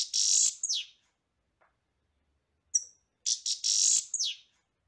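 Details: Singing European goldfinch giving bursts of high, harsh, buzzy twitter with falling slurred notes, separated by short silences.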